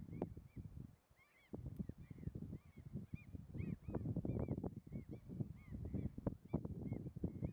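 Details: Two tundra swans at Munsö, Ekerö, on 2 April 2021 give soft, arched honking calls over and over, overlapping, with steady low wind rumble underneath.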